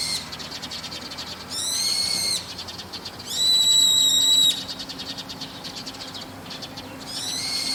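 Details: In the evening, perched on a roof, a brown-eared bulbul gives three strident, buzzy screeches, the middle one longest at about a second, each a steady, rasping tone against a faint low rumble.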